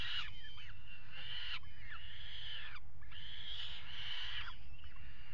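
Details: Mating peregrine falcons on the ledge of a nest box at the Axel water tower, 5 February 2018. Loud raspy wailing comes in three sustained phrases, each ending in downward-slurred notes, with a persistent low hum behind.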